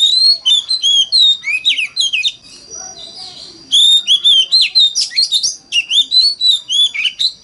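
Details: Oriental magpie-robin singing a lure song in the wild mountain-forest voice, used to make other magpie-robins sing along: fast, varied whistles and twittering slurs, one pause midway, then another lively, high-pitched run.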